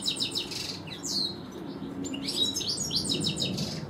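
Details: Garden European goldfinch, one of a pair, singing quick repeated tinkling notes, then rising whistled slurs and a buzzy trill, all high-pitched and lively.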